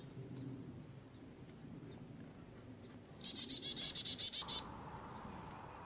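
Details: Carolina chickadee gives a high starting note and a fast series of about nine buzzy dee notes, followed by a steady low hum in the background.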